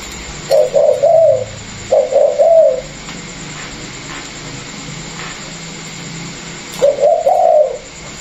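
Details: Caged Vietnamese spotted doves, a pair offered for sale, one a former calling decoy and one a newly caught wild bird; short bursts of low cooing notes around 0.5 to 3 seconds, then silence, then another cooing phrase near the end.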